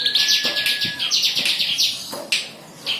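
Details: Bar-winged prinia song for tutoring other songbirds: a long steady thin whistle under dense, scratchy high chattering and sharp downward-sweeping notes, ending in a brief pause and a final burst.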